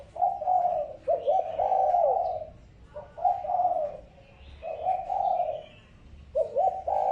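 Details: Repeated coos of a spotted dove played as a lure to rouse decoy birds. Five smooth, hollow phrases each last about a second, spaced irregularly with pauses of one to two seconds, over faint background twitters.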